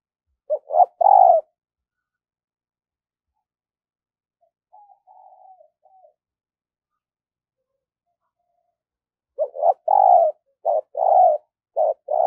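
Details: Spotted dove decoy in daily voice training for luring wild doves: one cooing phrase, a long pause with a faint distant coo, then several loud low coos bunched together near the end.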